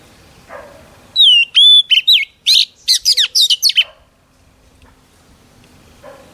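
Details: Female Oriental magpie-robin whistling to stimulate males: clear whistled notes, each sliding downward, then a quick run of loud buzzy chirps over about three seconds. Quiet background before and after.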